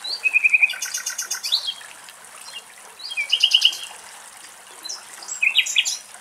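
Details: Nightingales singing in Greek nature at Axios Delta National Park near Thessaloniki: bursts of rapid, evenly repeated sharp notes, each phrase about a second long, separated by short quiet gaps, ending in a varied chattering flourish.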